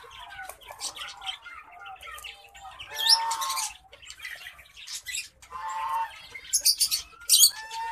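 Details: Zebra finch song, from a pairing of a male orange-breasted black-faced zebra finch and a female Isabel zebra finch: quick nasal, buzzy notes with sharper high chirps mixed in.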